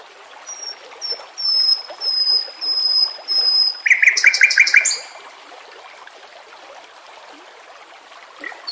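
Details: White-rumped shama singing in a training recording with water sounds; a few clear, high, drawn-out whistles are followed by a short, loud burst of rapid harsh notes, then quiet rippling water.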